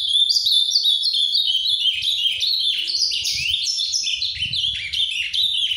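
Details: Continuous song of an ultramarine grosbeak in the Paraná style, considered Brazil's most beautiful: rich, bright whistled notes tumbling up and down in rapid, varied phrases without a break for nearly six seconds.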